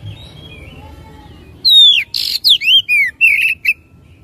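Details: Oriental magpie-robin song played to provoke another bird to sing. After a soft faint whistle, a sudden run of loud swooping whistles starts, mixed with a rasping buzz and short falling notes in rapid succession.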